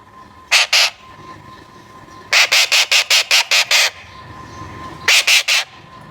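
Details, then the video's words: Harsh repeated screeches from a baby Alexandrine parakeet: two notes, then a rapid string of seven evenly spaced squawks, then three more, over a low constant hum. "Alexander Parrot Baby Sound"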